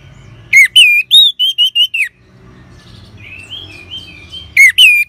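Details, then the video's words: Orange-headed thrush in ngeban style, used as a lure to set caged birds singing: a burst of six or seven loud whistled notes, a quiet stretch with soft high whistles, then two more strong notes starting a new phrase. "Suara Ngeban Untuk Pancingan ANIS MERAH"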